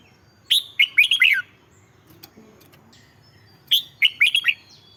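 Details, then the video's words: Red-whiskered bulbul song, played to excite caged birds: two short bursts of bright, warbled chirping phrases about three seconds apart, each of four or five quick rising and falling notes, over a quiet background. "เสียงนกกรงหัวจุก สำหรับต่อ หรือ เปิดให้นกคึก"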